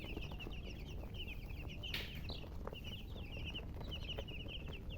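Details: Colored chickens giving rapid series of high, thin downslurred chirps, bunched in quick runs, over a steady low rumble of background noise and a brief louder rustle midway.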